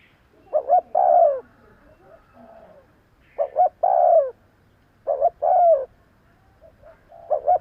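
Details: Repeated cooing of a spotted dove for luring birds: three clear phrases, each a paired short coo then a longer downward-sliding croo, plus the start of a fourth.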